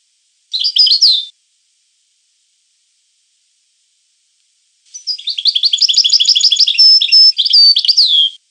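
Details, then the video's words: European goldfinch song: a short twittering phrase, a pause of several seconds, then a long, lively run of rapid high metallic trills with a sustained thin whistle and a falling liquid note at the close. "The Goldfinch , chant de Chardonneret"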